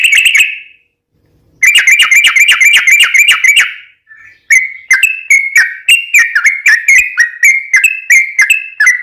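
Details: Yellow-vented bulbul lure song for prompting other bulbuls to respond: a short buzzy phrase, a pause, then a fast burst of chattered notes, followed by a long series of crisp whistled notes at a brisk pace.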